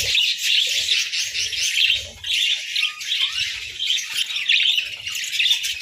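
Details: Budgies eating boiled eggs and bread during the winter chill produce a dense, overlapping warble of high, scratchy chirps and a few clear whistled notes, nearly unbroken throughout.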